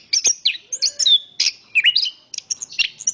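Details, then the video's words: Chestnut-capped thrush (Zoothera interpres) song: rapid run of high, varied whistled notes, slurred rising and falling phrases and sharp chirps in quick succession, with little pause between notes. "Suara Kicauan Burung Terapi Anis Kembang Ada Suara Angin"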